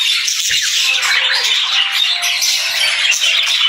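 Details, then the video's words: Budgerigars chirping and singing together, a dense continuous chatter of warbling, squawky notes with no pauses, suggesting a flock of several birds calling at once. "Cute Budgie Sounds"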